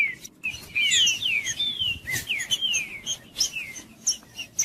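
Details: Green-winged saltator song, played to heat up a quiet bird. A run of smooth descending whistles, some overlapping, comes after a short silent start, then softer notes and clicks trail off toward the end.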